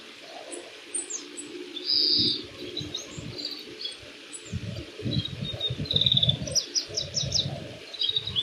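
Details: Oriental greenfinch singing in spring at Yuzawa Central Park on 14 March 2026: high twittering notes and a loud nasal buzz near the two-second mark, over steady low rumble of wind or distant traffic.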